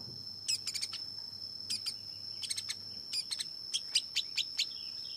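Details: Long-tailed shrike giving clusters of sharp, high chipping notes in short bursts of three to five, separated by brief pauses, over a steady high background tone.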